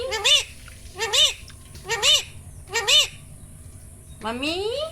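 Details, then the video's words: A pet Indian ringneck parrot talking. It gives four matching two-part arched phrases, about one a second, each ending in a brief bright squeak. A long, smoothly rising drawn-out note follows. "Parrot Talking Natural Sounds| Mitthu ki awaaz"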